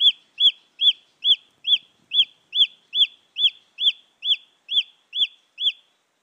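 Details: Junglefowl chick recorded to draw in wild hens; a long even series of about fourteen piercing peeps, each rising and dropping, evenly paced a little under half a second apart, with occasional faint clicks.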